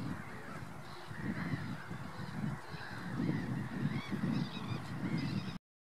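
Common pochard giving a string of short, harsh nasal calls roughly every second, over a steady low rumble of wind or water.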